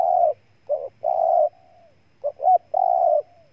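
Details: Spotted dove from Ninh Thuận province, Vietnam. A long coo ending one phrase is followed by two full phrases, each of quick doubled notes and a lengthy, burry, slightly falling coo.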